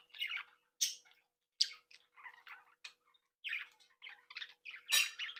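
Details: Pet budgerigars from a breeding flock in playful chatter: scattered sharp chirps and scratchy warbles separated by short silences, with a loud harsh squawk near the end.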